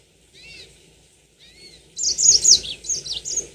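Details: Yellow-fronted canary, known locally as mozambik, kept as a cage bird: two soft slurred whistles, then a loud run of rapid high buzzy notes. Faint low rumble beneath.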